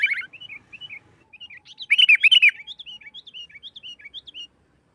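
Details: Lively sooty-headed bulbul song in the nggaruda tarung style, used to lure and provoke other bulbuls to sing: a loud rapid cluster of bubbly chirps midway, framed by softer spaced whistled notes repeated several times a second.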